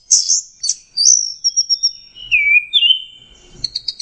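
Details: Lure song of an orange-headed thrush for stressed birds that stopped singing: a bright opening flourish, then a long sustained high whistle, a lower slurred descending whistle, and short chattering notes to close.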